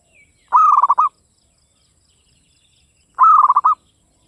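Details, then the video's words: Local Javanese zebra dove singing steadily in a crisp, dry voice: two half-second cooing phrases, each a clear opening note followed by rapid stuttering pulses, separated by about two and a half seconds of silence. "PERKUTUT LOKAL GACOR cuman hitungan menit nyaut SUARA GARING"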